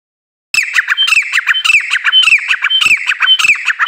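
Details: Female grey francolin calling: a steady series of harsh, squawky notes repeated about twice a second for over three seconds, each note a rough cluster of strained tones, after a silent start.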